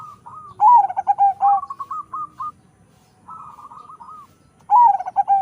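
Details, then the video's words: Local-Bangkok crossbred zebra dove, bred for a large voice: loud, deep, pulsing coos sliding downward, a run of quick level notes after a pause, then another strong coo phrase beginning. "PERKUTUT CROSING PERPADUAN LOKAL BANGKOK SUARA SUPER BESAR"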